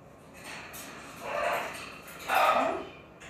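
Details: A junkyard macaw gives two harsh, raspy squawks about a second apart, each rough and broad-toned, over a faint steady background hiss.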